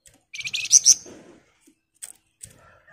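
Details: Sunda bush warbler in dense ngebren song: one short, very high buzzy burst with two sharp loud peaks, followed by faint scattered clicks.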